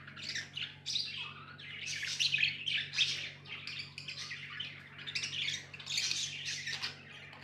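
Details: Busy, unbroken chatter of pet budgies: scratchy warbles, quick chirps and occasional squawks rising and falling in waves, with a steady low hum in the room.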